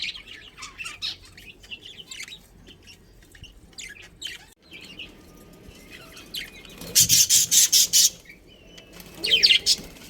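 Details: Captive budgerigar colony with a breeding pair, chirping: scattered thin high chirps and twitters through the first half, then a loud burst of rapid sharp chirps around seven seconds and another chattering burst near the end.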